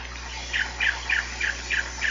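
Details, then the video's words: Giant cowbird singing: a steady series of short, soft notes that slur downward, repeated roughly every third of a second over a faint constant background hum. "canto do xexéu bico de osso ( xexéu boe, irauna de bico branco.)"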